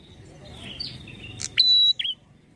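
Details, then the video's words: Prinia lure call used to provoke prinias into answering: a few thin, high chips, then one loud, steady whistled note held about a third of a second and a short closing note; faint background rustle. "PANCINGAN PRENJAK KEPALA MERAH,GACOR"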